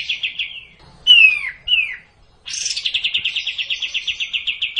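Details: Sooty-headed bulbul, played to coax a bird that is slow to sing. Short trilled phrases come first, then a bright downslurred whistle and a falling note. After a pause, a buzzy onset leads into a long, fast run of repeated notes.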